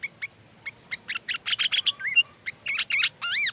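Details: Sooty-headed bulbul, an energetic singer recorded as filler song for training oriental magpie-robins: scattered short chirps, then clusters of bright, slurred notes and a final loud rising-falling warble, over a steady high hiss.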